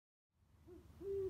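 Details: Owl in an old oak tree in a back yard at 2:34 am: a short low hoot rising into a steady held note, over faint low background rumble.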